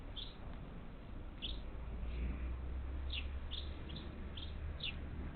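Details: Parakeets, up to ten, visiting a bird feeder on the outskirts of Houston, Texas, on the Gulf Coast, 27 July 2021: short harsh downward chirps, about eight scattered over five seconds, over a low steady rumble.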